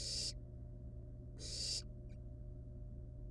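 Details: Two rasping, breathy hisses from wild barn owl nestlings at their nest while handling a live rat, about 1.5 seconds apart, with a faint tick after the second and a constant low hum underneath.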